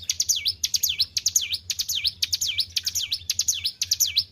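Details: Well-tended caged white-browed shortwing singing actively, shrill whistled notes that swoop down and rise, repeated in quick regular succession, with a soft low hum beneath.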